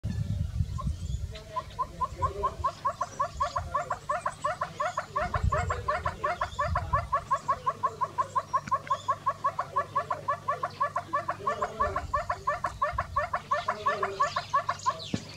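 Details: A very dishevelled Northern Red-billed Hornbill sings in the hot sun, giving a long, fast series of hollow clucking notes, about three per second, steady and slightly accelerating, with low rumbling wind or handling noise underneath.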